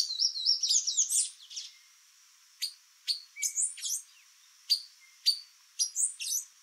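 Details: Female white-lined tanager visiting a yard in Brazil: a quick, high twittering burst, then sharp, thin chip notes spaced irregularly about every half second to second.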